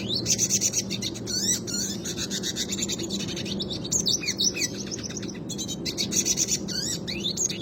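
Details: Red Siskin, classic style, singing a rolling song meant for tutoring other cage birds: a long continuous stream of fast, high, buzzy trills and chattering twitters with brief whistled slurs, over a constant low background hum.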